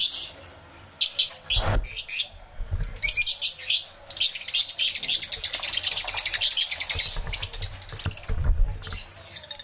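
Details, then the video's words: A crowded aviary of lovebirds, captured by a camera with two external microphones. Sharp, high twittering builds into a long continuous chatter of rapid notes, with a couple of low thumps. "1 Hour Lovebird Sounds Aviary Series V1"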